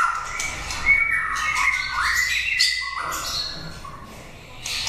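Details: Prize-winning caged white-rumped shama in song: bright whistled notes and upward slurs mixed with rasping bursts, then a quieter stretch near the end.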